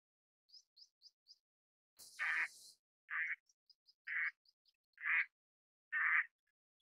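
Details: Eastern spot-billed duck giving five harsh, broadband quacks spaced about a second apart. Faint thin high chirps sit between them, and a short noisy burst opens the sequence.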